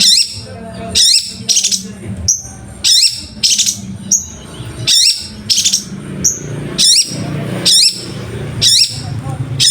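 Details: Long-tailed shrike master recording with a rich, varied song: loud bursts of shrill chirps and short whistled slurs, about every second, separated by brief pauses, with a constant low hum behind.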